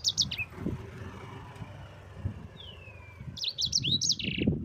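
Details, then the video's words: Yellow-fronted canary, called sanger, singing for tutoring other birds: a short phrase of high chirps, one soft falling whistle, then a fresh burst of twittering, with a steady low rumble like traffic throughout. "Suara Burung SANGER GACOR Ngerol Pedas paling ampuh untuk Pancingan dan Masteran...!!!"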